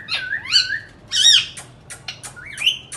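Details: Indian ringneck parakeet at home, making sounds: twisting whistled notes, a loud harsh screech, scattered clicks and a final rising whistle, indoors.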